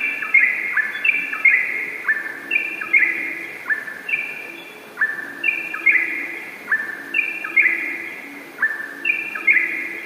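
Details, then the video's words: Yellow-vented bulbul singing in lively, rapid 'ropel' style: bright bubbly phrases that step downward, repeated about every second in overlapping runs, with a faint low hum beneath. "Trucukan Ropel Gacor durasi Panjang"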